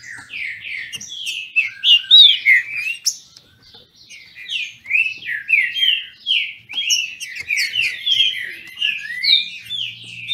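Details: Captive green-winged saltators in Brazil in a singing dispute: bursts of loud, quick, slurred whistles, a short lull, then a long run of overlapping whistled phrases.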